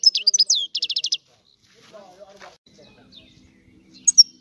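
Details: Sicilian European goldfinch, old-style song: a brief burst of sharp twitters and a rapid trill, then near silence with faint low sounds and two final high notes.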